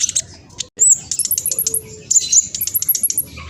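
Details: Spotted black sunbird in fast lure song; a run of piercing high whistled notes and rapid chips, repeated quickly after a brief gap.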